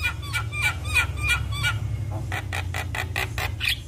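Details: Black-collared starling singing to draw other starlings into song: a series of short rising whistled notes, then a run of evenly spaced harsh chattering bursts, over a low background hum.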